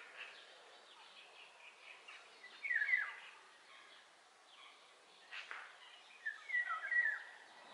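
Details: Eurasian golden oriole giving two fluty whistled phrases about four seconds apart, with other faint bird chirps and background noise between them.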